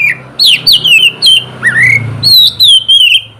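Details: Oriental magpie-robin morning song for prompting reluctant birds to sing: sharp, downward-slurred whistles, a rising note in the middle, then a sustained run of clear wavering whistles over low background hum.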